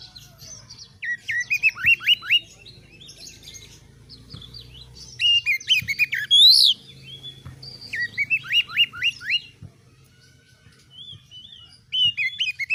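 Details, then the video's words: Oriental magpie-robin, caged, in gacor song meant to test other birds' nerve: bursts of rapid hooked whistles separated by quiet gaps, with one sharp high upsweep mid-phrase and faint low hum throughout. "MASTERAN KACER GACOR || Kacer gacor tes mental burung lain agar fighter"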